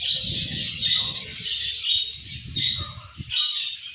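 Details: Flock of Australian budgie parrots chirping loudly in a dense, continuous chatter of high buzzy tweets and squawks, with low rustling and bumping noises beneath.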